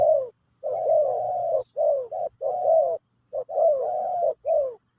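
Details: Spotted dove performing Pesom/Kacuk song in a teaching session for a newly acquired bird, with mellow cooing notes strung into sustained phrases, brief clipped coos between longer rolling ones.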